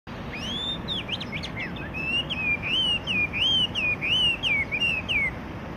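Yellow-breasted Chat singing a run of clear, slurred whistles, rising and falling, about one every half second, over a low steady rumble.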